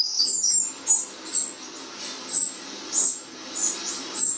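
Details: Garden wrens reacting to a replay of their song give sharp, very high chirps, about two per second and fairly steady, with faint low hum underneath.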